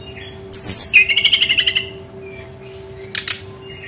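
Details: Brown-chested jungle flycatcher lure song for young wild-caught birds: a high descending whistle followed by a fast pulsing series of about ten short notes, then a brief rough burst, with a continuous low hum.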